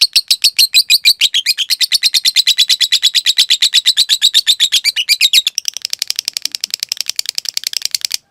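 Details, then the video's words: Lovebird in a long trilling song, a recording meant for training cage birds to sing long: very rapid high, sharp, ticking notes repeated in a continuous dense stream over eight seconds, shifting in tone midway. "Masteran Suara Burung Lovebrid Ngetik Ngekek Panjang"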